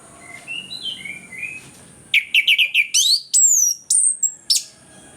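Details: Lure song of an orange-headed thrush for coaxing silent birds to sing: soft low warbled notes give way to a loud, fast run of repeated chips, then long high whistles sweeping downward, with a faint steady high tone.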